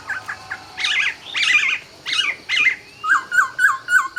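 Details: Laughingthrush song at dawn: harsh chattering phrases, then a quick series of repeated bright whistled notes.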